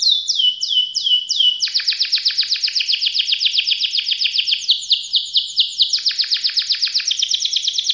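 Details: Canary delivering a long song of rolling and shooting variations, recommended for young canaries learning to sing. Fast, continuous trills of repeated downward-sweeping notes shift between several speeds and pitches without a break.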